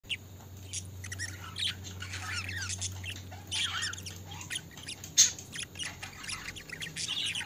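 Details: Pet budgerigars chattering in a dense, scratchy mix of quick chirps, squeaks and warbled notes, with a steady low hum beneath during the first half.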